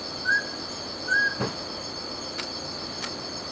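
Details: Two mellow whistled notes from a mountain scops owl, spaced just under a second apart, followed by a few dry clicks, with constant shrill insect buzzing in the background.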